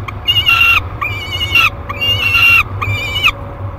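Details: Peregrine falcon nestling, 30 days old, in a nest box at Great Spirit Bluff on 1 July 2021. It gives four shorter, harsh wailing calls about every 0.8 seconds, each ending in a slight upturn.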